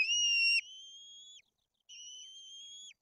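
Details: Nestling white-tailed eagles in Poland's Tuchola Forest being fed fish, the older chick acting aggressively. A loud sustained whistle is followed by two softer, steady, even-pitched whistles that each drop off sharply at the end.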